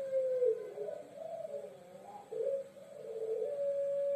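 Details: Pelung dove long call, soft and low, a wavering sustained hum dipping and rising before ending on a steady tone, over faint hiss.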